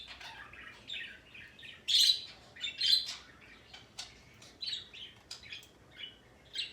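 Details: Male parrot making a sound it has been giving for a long time today: a busy run of short high chirps and harsh squawks, with two louder rasping bursts near the middle and quieter twitters between.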